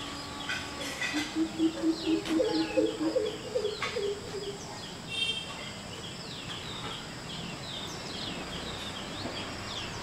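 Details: One of a pair of greater coucals perched on a wall in Palakkad, calling and counter-calling to its mate on a January winter morning with its bill shut, gives a deep, hollow series of about eight booming hoots, quickening slightly over three seconds, as smaller birds chirp in the background.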